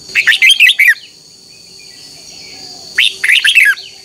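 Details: A red-whiskered bulbul sings in the morning as a contest-song lure for training birds. Two quick bursts of chirpy, tumbling notes are separated by a pause of about two seconds, over a faint steady high hum.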